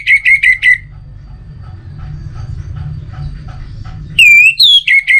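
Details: Orange-headed thrush song: a run of four quick repeated whistled notes, then a pause with faint low background sound, then clear slurred whistles that rise and fall.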